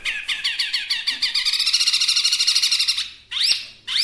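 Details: Chinese hwamei, a small-sized bird, giving a fast, dense trilling burst of buzzy repeated notes, followed by a short pause and a couple of sharp rising whistles.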